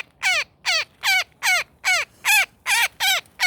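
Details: Woodpecker caught in a net, giving nine loud, grating squawks that each sweep downward, evenly spaced roughly every 0.4 seconds against a quiet background.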